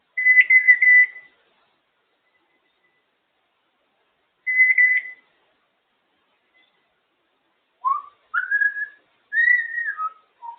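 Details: A pet African grey parrot making noises indoors: two flat buzzy whistled bursts near the start, then a run of short rising and falling whistled notes.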